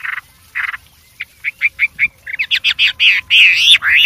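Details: White-rumped shama in the wild, singing vigorously with varied phrases: a few spaced whistled notes, then a quickening run of short chirps building into loud, swooping whistles.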